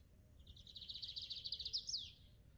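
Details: Male Lined Seedeater (Sporophila lineola) singing in the wild while its mate tends the nest, mid-February, in fine drizzle: a quick, high trill of evenly repeated notes ending in a sharp downward slur, over faint low background rumble.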